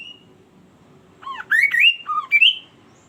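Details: Lively song of a kaso-kaso bird, sung to draw other birds into singing: a burst of loud, harsh, squawky whistled notes in quick succession, some rising and some dropping, after a soft whistle and a quiet low hum.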